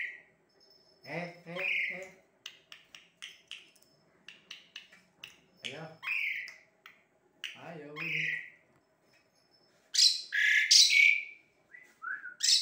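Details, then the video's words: An Asian pied starling sings close up in a small room: a rambling, varied song of dry clicks, short rising whistles, nasal voice-like phrases and harsh bursts. "burung 🐦jalak suren"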